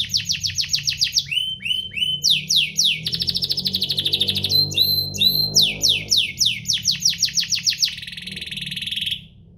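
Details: Domestic canary song for prompting other canaries: rapid stuttering sweeps, looping whistles, a sustained dense trill with a soft low rumble beneath, more falling sweeps, ending on a buzzy trill.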